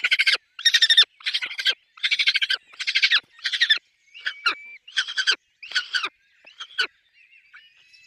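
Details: Peregrine falcon calling at its nest with chicks: rough, scratchy pulsed bursts repeated steadily, fading into weaker notes and a few thin whistled squeals toward the end.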